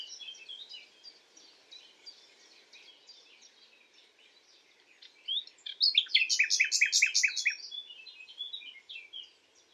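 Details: Common nightingale singing at night: soft scattered chattering notes, then a loud burst of rapidly repeated sharp notes, about eight in quick succession, fading back into quieter twittering.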